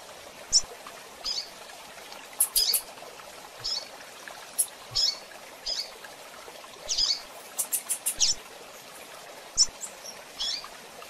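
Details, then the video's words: Female seedeater calling with soft, high chips and short thin tseet notes, singly or in quick little bursts at an uneven pace over faint background hiss. "Coleiro e Tiziu Fêmea Piando e Chamando"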